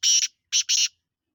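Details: Black francolin of the Sindhi type, described as free-living, giving a harsh, grating call: one long buzzy note, a short pause, then two rasping notes in quick succession, all against complete silence.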